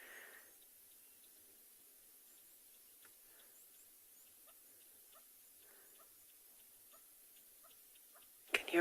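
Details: Hornbills on an afternoon safari in a South African game reserve on 18 June 2020 give a faint run of short clucking notes every half second or so near a sleeping lion. Other birds, possibly helmetshrikes, are audible, and murmurs and a sharp knock come at the end.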